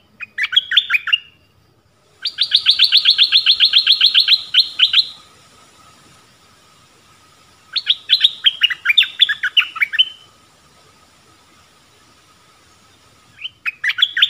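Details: Decoy dok taeng bird calling for a mate in the forest, 13 January 2021; repeated phrases of rapid, rattling high chirps, one lasting about three seconds, with quiet pauses between and faint background hum.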